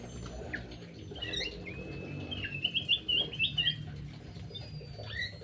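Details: Aviary birds fighting during feeding: a run of rapid, sharp trilled chirps, about four per second, rising out of a murmur of softer tweets and faint scuffling.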